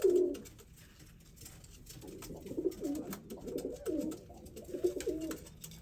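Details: Courting white male pigeon calling to a brown female in a zoo; one loud low coo at the start, then a run of softer rolling coos repeated roughly each second.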